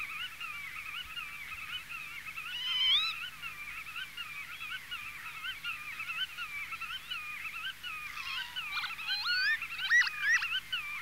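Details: Black-tailed godwits in the Netherlands give rapid, nasal, wavering calls, said to repeat their own name, overlapping almost without pause and growing busier and sharper near the end.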